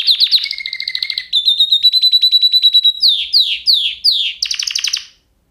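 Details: Singing canary: a quick rattling trill, then a long, steady, high whistled trill. Several swooping down-slurred notes follow before the song stops into silence.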